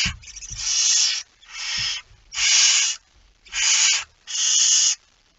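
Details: At 01:49 on 17 September 2019, a barn owl with a mouse gives five snoring hisses of roughly a second each, evenly harsh and noisy, with a few soft knocks early on.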